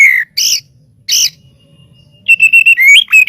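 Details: White-rumped shama song for training birds: a few separate bright whistled notes with pauses, then a rapid string of clear, repeated whistles with rising slurred phrases at the end.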